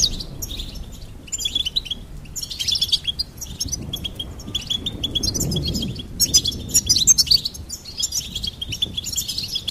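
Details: Goldfinch singing continuously in rapid, high twittering phrases of tinkling and buzzy notes, with a brief lull midway and a brighter, denser passage of jumbled chirps toward the end, over a faint low background hum.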